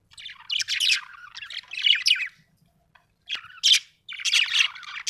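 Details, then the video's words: Happy budgerigar warbling almost nonstop, a busy mix of high squeaks, clicks and scratchy chatter broken by one short silence. "happy budgie chirping sound"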